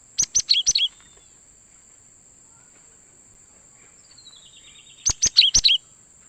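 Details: Cinereous tit calling as a lure to trap wild birds: two bursts of four or five rapid, sharp chirps dropping in pitch, separated by about four seconds of near-silence, with a continuous high whine throughout.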